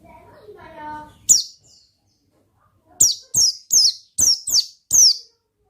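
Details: Oriental white-eye in 'ngalas' song. The clip opens with a soft, low, warbling tonal sound, then one shrill chirp. After a pause, six quick, high, down-slurred chirps follow in a steady series.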